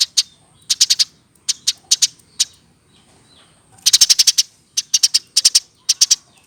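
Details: Hand-reared Eurasian tree sparrow over a year old singing busily. Sharp high chirps come in tight runs of two to nine, with brief silent gaps and a steady faint high-pitched hiss in the background.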